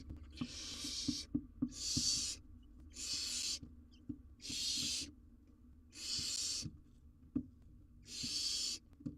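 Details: Live-cam recording of a wild barn owl owlet attempting to swallow a giant jird; six evenly spaced, loud, airy hissing screeches, each about three-quarters of a second, roughly every one and a half seconds, with faint clicks between.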